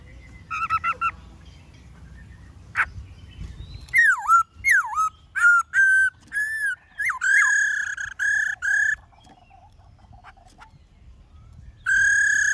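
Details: Black-throated laughingthrush singing in the many-voiced wild forest style (giọng rừng): scattered loud whistles, swooping down-slurred notes and a run of buzzy, harmonic-rich level notes, then a long sustained note at the end.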